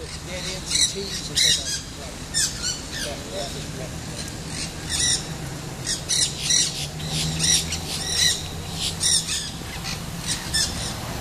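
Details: Nanday parakeet (Aratinga nenday) in St. Petersburg, Pinellas County, Florida, on 10/2/14, chattering in harsh, raspy squawks roughly every half second to second while chewing stems, over a steady low rumble.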